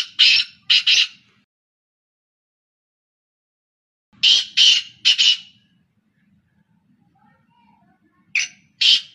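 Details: Three black francolins calling continuously: harsh, loud grating notes in quick clusters of two or three, bursts separated by pauses of several seconds, with faint low background hum.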